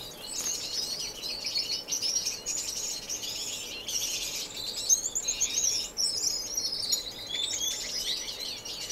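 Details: Finches singing in an indoor non-breeding community aviary in Edmonton, Canada, March 2015: steady high-pitched twittering and chattering from several birds, with quick rising and falling notes throughout.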